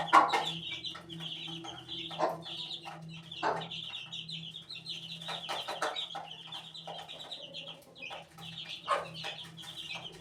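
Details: Eighteen-day-old chicken chick giving steady high-pitched peeps, short and slightly falling, strung in near-continuous chains for ten seconds, broken by occasional sharp lower clicks or bumps.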